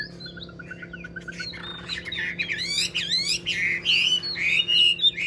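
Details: Chinese hwamei, an old wild-caught bird noted for its excellent voice, gives a soft series of quick even notes, then bursts into loud rich warbling with looping slurred whistles.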